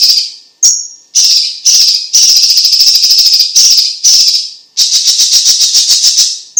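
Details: Energetic song of the Chinese leafbird (cucak ijo cina or cucak cungkok), meant for tutoring and prompting other birds: repeated rasping buzzy bursts, one short high whistle early on, then a long rattling trill.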